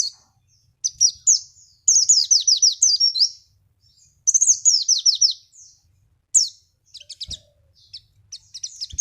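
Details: Javan white-eye singing as a lure to get other birds to reply: high, bright runs of quick descending chirps in bursts, broken by short silences and a few scattered twitters.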